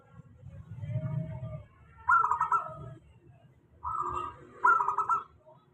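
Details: Lure song of a local zebra dove for doves that rarely sing: a soft, low, hollow coo opens, followed by several rolling, pulsed coo phrases of about a second each, over a steady low background hum.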